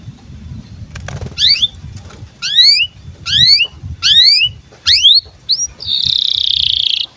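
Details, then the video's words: Canary in breeding condition, sung to train young birds: separate whistled notes, each a steep double-stranded rising sweep with a falling tail, about one per second, then a steady high buzzy trill over low background rumble. "KENARI GACOR DURASI PANJANG Cuit CUIT BIRAHI UNTUK PANCINGAN & MASTERAN Kenari PAUD AGAR BUNYI"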